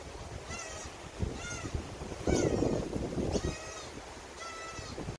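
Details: Common cuckoo chick, a brood parasite, screaming to be fed by its magpie foster parent: loud, strained, slightly descending begging calls about once a second, over low rumbling wind noise.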